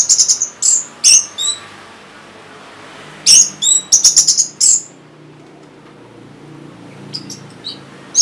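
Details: Song of an orange-headed thrush, used to stimulate caged birds that have stopped singing: very high, thin, sharp chirped notes in quick groups, then softer faint notes after a pause.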